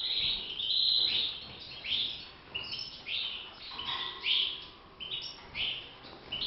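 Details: A captive European goldfinch (Carduelis carduelis), kept and bred in a cage, sings a bright, tinkling twitter of quick high notes in short bursts, with a lower, steadier whistled note briefly near the middle.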